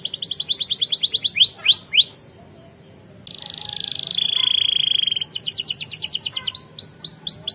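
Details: Training song of a canary for other canaries: a fast trill into falling swoops, a short pause, a buzzy roll, a pure steady whistle, then trills and swoops again.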